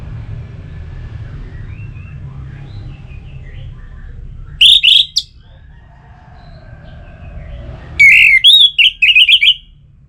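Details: Orange-headed thrush, a recording meant to get kept birds singing: a short pair of bright whistles, then a longer tumbling run of warbled, slurred whistled notes, with faint background noise throughout.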